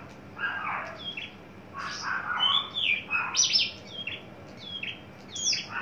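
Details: A tame, fully mature male Horsfield's bush lark, just coming into breeding condition and naturally very loud, gives a string of sharp, varied chirps and short slurred notes, high-pitched and irregular, over quiet background hiss.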